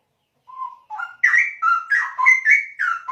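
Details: Straw-headed bulbul singing a loud, rich phrase: a short low whistle, then a rapid run of bubbling, warbled notes that jump up and down, about three seconds of song.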